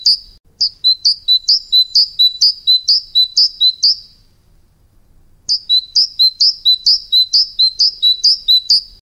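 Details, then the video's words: A tit gives bright, high, ringing two-note phrases, repeated about twice a second in two bursts with a short pause between them, in an otherwise quiet background. "ירגזי קולות מהטבע"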